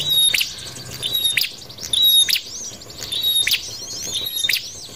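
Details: Prinia sound used to lure birds into traps, with loud crackling bursts and high whistled notes coming about once a second, some softer chirps between.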